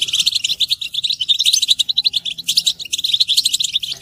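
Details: Several European goldfinches twittering together in a recording used to motivate males to sing and break their silence; fast, bright, overlapping tinkling notes and liquid chirps, steady and unbroken, with short buzzy trills mixed in.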